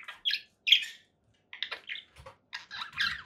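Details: Conure parakeet uttering a few loud raspy squawks, then softer broken chatter after a pause, with faint low thumps underneath.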